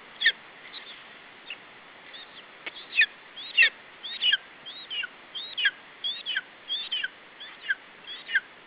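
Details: Lesser spotted eagle chick in its nest, Estonia, July 2012, defending food from the adult male. Starts with sparse faint notes, then gives regular piercing whistled kyip calls, each bending down, roughly every half second, over soft hiss.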